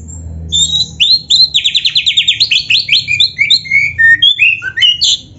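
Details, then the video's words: Black-breasted kacer, oriental magpie-robin, in a full, phrase-rich training song for caged birds: two sweet whistles, then a long rapid series of rhythmic trilled notes about five per second, followed by varied downslurred whistles. "MASTERAN KACER GACOR FULL ISIAN JOS"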